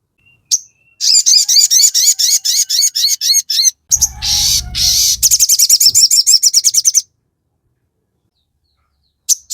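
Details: Crested jay delivers a high, chattering run of quick repeated notes. A short harsh noisy burst interrupts before an even faster rattling sequence, then silence.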